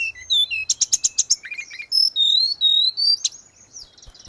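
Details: Grey-cheeked bulbul singing energetically, for training caged birds. A row of sharp repeated chirps leads into buzzy notes and a long wavering whistle, then the song fades.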